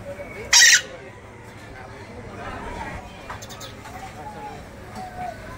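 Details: Scarlet-fronted parakeet (Psittacara wagleri) giving one short, harsh, rasping screech that breaks a quiet background with a faint hum of surroundings.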